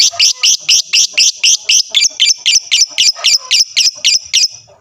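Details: Lovebird chatter played as a lure to make other lovebirds answer: shrill, sharp chirps repeated very steadily about four times per second, each note similar, forming a long unbroken run.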